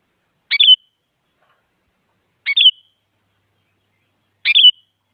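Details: Female sooty-headed bulbul calling to a male, a sound meant to spur quiet bulbuls into song: three identical brief phrases, a rough burst then a slurred descending whistle, spaced about two seconds apart on a silent background.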